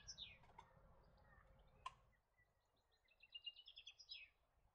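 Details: European goldfinch, a non-native bird in Australia found in pairs or small flocks; high twittering notes with a fast run of tinkling chirps in the last second and a half, over faint background noise.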